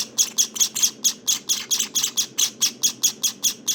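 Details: Begging from Java sparrow nestlings on day 19: a steady train of high, harsh chirps, roughly three to four per second, each one short and piercing, continuing without a break.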